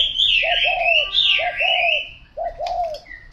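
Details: Spotted dove coos in doubled phrases, a quick note then a longer rounded coo, twice in succession, with loud sweeping chirps of other birds overhead and a short gap near the end.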